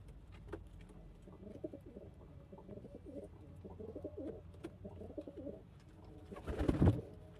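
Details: A pigeon's clear, resonant coo repeats in rolling, throaty phrases for about five seconds, each swelling and dipping, before a loud burst of rustling or handling noise.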